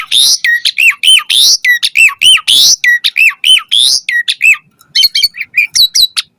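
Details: Energetic Asian pied starling song rich in mimicked phrases, used to lure captive starlings into singing: dense repeated hooked whistles mixed with harsh squawks, then a stretch of thinner chirps and short whistles.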